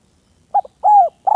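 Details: Spotted dove of the village type calling a rival: a short stuttering coo, then a long, drawn-out, gently falling coo, followed by the start of another, all low and clear against a quiet background.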